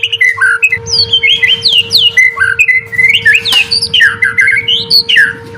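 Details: White-rumped shama song used to coax stressed or lazy birds into singing: a fast, tumbling stream of varied whistles, swoops and high sharp notes over a constant mechanical hum and low background rumble.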